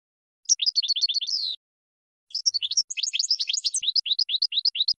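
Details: Short goldfinch song bursts of quick, high, sharply rising and falling twitters, a brief trill then a longer chattering phrase after a pause.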